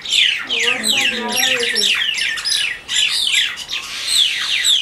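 Mynas squabble with a rapid tumble of harsh, grating squawks and sharp downslurred chatter, nearly continuous; a human voice murmurs briefly underneath early on.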